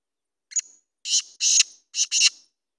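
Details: Harsh, grating call of a black francolin (kala teetar): one short introductory note and then two pairs of loud, rough syllables in quick succession, nothing else audible.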